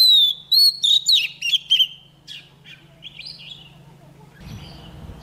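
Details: Female Oriental magpie-robin song used to rouse males: a rapid opening of clear descending whistles and chirps, softer scattered notes after, then low rumbling noise at the end.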